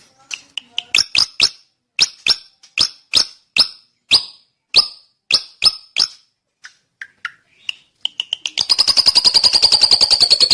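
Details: Drongo song: a long run of sharp, descending whistled notes about every third of a second, followed by a few softer calls and a rapid buzzy rattling trill at the end.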